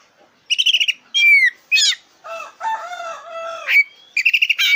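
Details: Energetic oriental magpie-robin of the black-breasted form, song meant to rouse competition birds: rapid stuttering trills, a clear falling whistle, then harsher lower grating notes before trills resume.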